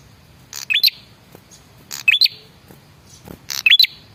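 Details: Male prinia giving a lure call meant to make other birds reply: three bursts about 1.5 seconds apart, each a dry rattling crackle followed by sharp, high rising whistled notes. Quiet gaps between bursts.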